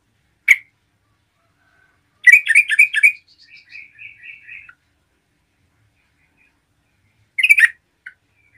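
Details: Yellow-vented bulbul in gacor song for stirring up other bulbuls: one sharp note, a rapid harsh chattering burst trailing into soft warbled notes, and a later short rattle.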